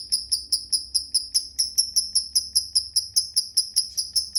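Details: A lovebird repeats clean, sharp, high chirps about two and a half times a second in an even, metronome-like series lasting over four seconds.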